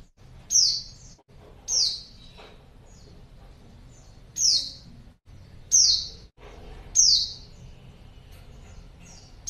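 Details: Female white-eye calling to lure males: a series of about six thin, high, downward-slurred chirps, repeated roughly every one to one and a half seconds, over a faint low background rumble.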